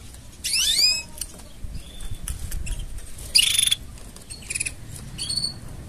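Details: Canary mating sounds used to tone up a canary's singing: loud bursts of bright, bending whistled notes with sharp chirps, spaced irregularly, over soft low rumbling background.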